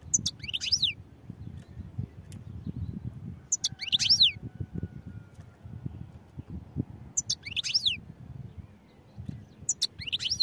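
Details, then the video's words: European goldfinch song given as brief bursts of high, liquid, sweeping twitters, repeated roughly every three seconds over a constant low background rumble. "goldfinch songs | goldfinch singing"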